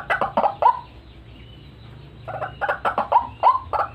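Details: White-breasted waterhen lure call, used to attract birds for trapping: bursts of harsh, croaking notes repeated rapidly, a pause of over a second of quiet, then another fast run of the same rough calls.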